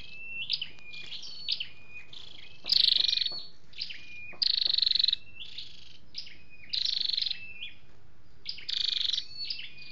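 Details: Flowerpecker calls, male and female, from a lure recording: short high whistled notes and flicks interrupted by loud buzzy rattling bursts, roughly every two seconds, over a faint steady hiss.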